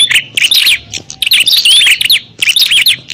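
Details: Loud, agitated prinia fight calls meant to attract wild birds: clustered high chirps and rising-falling slurred notes packed into short bursts, about three bursts in quick succession.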